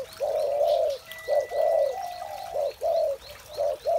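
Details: Spotted dove cooing in the morning, a string of low, smooth rounded notes of varying length, each ending with a soft drop, about one per half second, with faint distant chirps.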